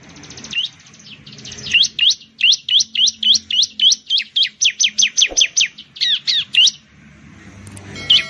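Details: Bar-winged prinia, locally called ciblek or perenjak jawa, singing a fast series of loud, high, sharply down-slurred notes, about twenty in a row, repeated several times a second, with a brief pause before a final note.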